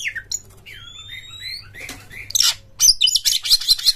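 Oriental magpie-robin singing: long clear whistles, some rising, then rapid harsh, scratchy bursts and chatter. A faint low hum runs underneath.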